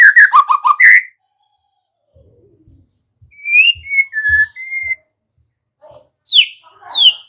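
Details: White-rumped shama singing, played to prompt untrained young birds to sing vigorously: a rapid burst of chopped notes, then slow clear whistles at steady pitch, and two sharp down-slurred notes, with soft low thumps beneath.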